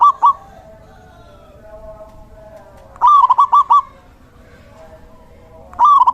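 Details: Male local zebra dove, a lively singer kept as a lure and tutor for other doves: short bursts of rapid, bubbling staccato coos, one run of about five notes mid-clip and brief bursts at start and end, over a faint steady hum.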